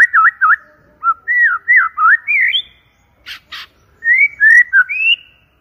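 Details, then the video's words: Loud, clear song of a white-rumped shama: varied mid-pitched whistled phrases with looping, falling and rising notes, broken by a pause with two short clicking bursts, then bright upslurred whistles. "PANCINGAN MURAI BATU PALING GACOR DAN AMPUH SUARA JERNIH VOLUME KENCANG"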